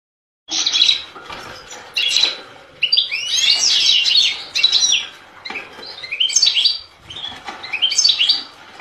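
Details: European goldfinch song: rapid twittering phrases of bright, tinkling notes mixed with buzzy trills, delivered in bursts separated by short pauses.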